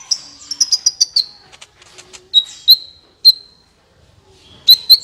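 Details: Sunbird song used to get other birds singing: a quick run of high ringing chirps, then single loud clear whistled notes, a short pause, and a final pair of bright notes.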